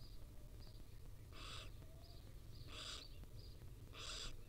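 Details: Wild barn owl chicks begging while their mother gently feeds them at a nest watched by a live camera: three harsh, broadband hissing bursts spaced about 1.4 seconds apart. Faint high chirps and low rumbling sound in the background.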